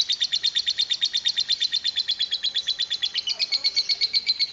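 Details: Rapid, regular high chirping from a lovebird in long 'ngekek panjang' chatter, styled 'kereta uap' (steam train), pulsing about seven times a second like a chugging engine, with a faint lower murmur near the end.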